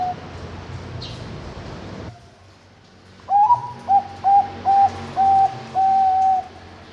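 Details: Captive zebra dove hatched 21 May 2023 at a bird farm in Kediri, East Java, Indonesia. After a quiet pause it sings about seven mellow cooing notes: short rising ones first, then progressively longer, ending in a drawn-out level coo.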